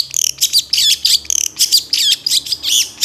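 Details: Rich long-tailed shrike song used as a master recording for songbird training: quick, high twisting whistles and looping slurred notes with short trilled flourishes, delivered almost without pause.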